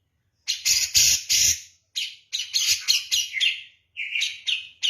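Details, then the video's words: Grey-cheeked bulbul, Javan form, singing persistently in the harsh 'kapas tembak' style: bursts of loud, buzzy, scratchy high notes in quick runs, ending with a few rising shrill phrases. "kicau master cucak jenggot jawa gacor ngotot seperti kapas tembak"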